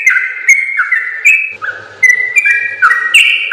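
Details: Yellow-vented bulbul in long rapid-fire song for training other birds: clear whistled notes held briefly, then alternating higher and lower steps in quick succession.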